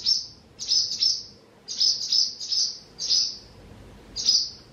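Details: Barn Swallow at its nest by the Tama River; high, thin chirps in quick clusters of two or three, repeated with short pauses, clean and close with little background.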